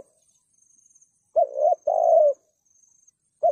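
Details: Spotted dove used as a trapping decoy, calling thúc gù: after a quiet start, one hoarse wavering note leads into a steady mellow coo, and a new phrase begins at the end, over a faint high whine.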